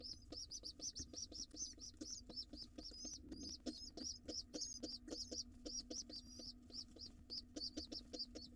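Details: Pigeon nestling, wild, feeding time with its father in a monitored nest box; dense strings of shrill, slightly wavering squeaks pour out almost without pause, accompanied by regular soft low taps.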